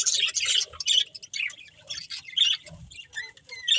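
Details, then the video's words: Budgies of a breeding pair give scattered short, squeaky chirps and sharp twittering notes in uneven bursts, separated by quieter moments. "Beautiful Budgies Chirping Sounds"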